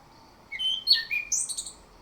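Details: Orange-headed thrush singing a morning lure phrase: a short run of varied whistles, rising and falling, ending in a brighter high twittering flourish. Clear and close, with faint background hiss.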